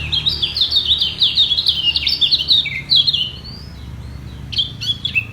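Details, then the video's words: Yellow white-eye singing in a vocal battle to hold its top position, rivals equally strong and unyielding: rapid high twittering phrases of sliding chirps for about three seconds, then a pause and a brief return of sharp notes. "Demi Mempertahankan Posisi Kecial Kuning Ini Perang Suara Di Bawah"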